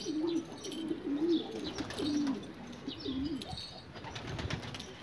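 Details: Rare pigeons of Australia give a series of low, wavering coos, roughly one per second. Each coo swells and dips, with soft chirps and rustling behind.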